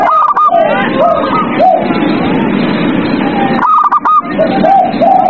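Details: Zebra dove song played at night as therapy to get captive doves singing: short arched cooing notes repeated about every half second, with bursts of quick stuttering higher notes, all over a dense hissing chorus background.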